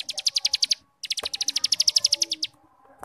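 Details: Starling 'ngebrem' master song for training young birds to sing: two bursts of fast, harsh, buzzy pulses, the first short with about eight notes, the second longer with about eighteen, separated by a brief pause.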